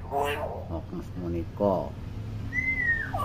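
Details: Chattering common hill myna, recorded for teaching young mynas to speak, produces several voice-like syllables, then a clear high whistle that slides slowly downward at the end.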